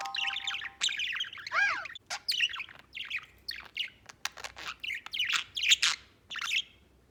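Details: White budgerigar, a pet bird, warbling: busy run of chirps, squeaky rasping notes and quick rising and falling chatter in short bursts, with a brief low hum at the start.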